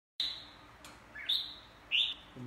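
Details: Red-whiskered bulbul practising its song: three short, clear whistled notes, each a bright high phrase with a slight downward slur, spaced about half a second apart, in quiet surroundings.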